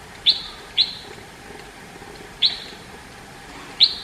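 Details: Red-whiskered bulbul, India: four crisp, high, downward-flicking chirps, each ending in a short ringing tail, with long gaps between them and quiet hiss behind.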